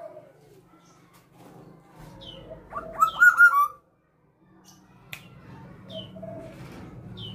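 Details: Tame female black-naped oriole in full voice, giving a short, loud, fluty whistled phrase in the middle with softer scattered high notes before and after, over a low background hum.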